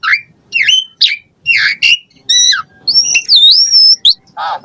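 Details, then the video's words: Asian pied starling song meant to spur caged birds into singing: scattered harsh chirps and slurred notes, then a long wavering whistle rising and falling, closing with a low nasal squawk. "Pancingan Jalak Suren Ocehan Suara Burung"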